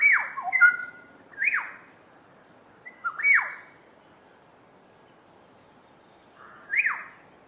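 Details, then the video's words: Two Black-headed Orioles singing a duet: loud liquid whistled phrases with sharp downward-swooping notes, given in bursts about every one and a half to three seconds, with quiet pauses between. "Black headed Oriole duet"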